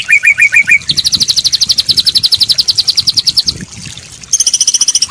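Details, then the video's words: White-rumped shama training song with fancy fill-ins for daily and contest birds: a short series of chips, then a long fast high trill, a brief pause, and another rapid trill. "Masteran Burung Murai Batu full durasi+Isian mewah!!! Cocok buat mencetak burung harian maupun lomba"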